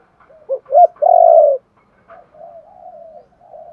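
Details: Spotted dove call used to stimulate wild-caught birds to call: two short low hooting notes followed by a long rolling coo, then softer trailing coos.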